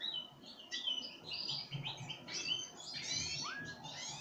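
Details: Pine grosbeak taking sunflower seeds from a feeding hand, uttering a run of high whistled and warbled notes, one rising slur near the end, over quiet low background rumble.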